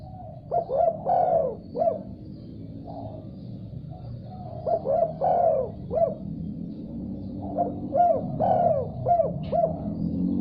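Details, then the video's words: Spotted dove calling back readily after hearing another dove: three repeated cooing phrases, each a quick lead-in coo, a long rolling emphasized note, then a short closing coo, with a faint low rumble underneath. "Tekukur Diam Seketika Langsung Respon Nyaut Gacor Setelah Dengar Suara Ini"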